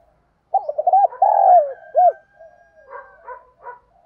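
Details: Spotted dove (cu gáy) thúc gù kích bổi cooing for stirring cooing duels. One phrase of clipped notes, a long falling coo and an arched note, followed by soft, broken murmuring notes.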